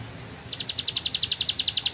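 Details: Ciblek sawah or bar-winged prinia starting a ngebren-style song after a half-second pause: a quick, even string of bright, high chips, about eight per second.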